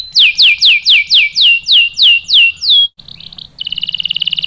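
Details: Canary song used to lure a male into singing: about ten clear, loud downslurred whistles in even rhythm, then a short buzzy note and a fast rattling roll.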